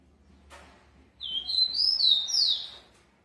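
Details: Captive-bred rufous-collared sparrow, described as very fast, sings one short phrase of high, clear slurred whistles that dip and rise over about two seconds, after a single faint click and low hum.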